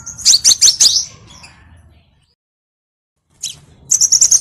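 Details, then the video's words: Crimson sunbird lure song for training birds: a fast burst of very high ticking trills, then about a second and a half of silence, then the rapid high trill resumes. "MASTERAN GACOR & PIKAT KOLIBRI SEPAH RAJA | SUARA PANCINGAN"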